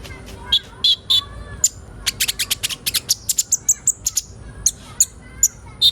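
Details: Sunbird known locally as kolibri ninja, recorded as training material to get young birds singing quickly. Sharp, very high chirps and short trills come in bursts and then a fast run of ticking notes, with quiet background hiss.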